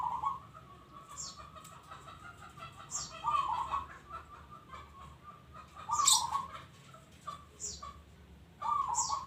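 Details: Local zebra dove singing busily. It gives low, rolling, trilled coo phrases about every two to three seconds. Thin, high chirps from other small birds are scattered between them over a faint background hum.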